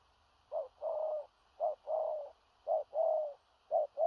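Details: Spotted dove in booming 'thổ rặc' style, far-reaching and hurried with a stuttering coo, heard slightly more distant: short note then a longer wavering coo, repeated four times about every second over a faint steady hum.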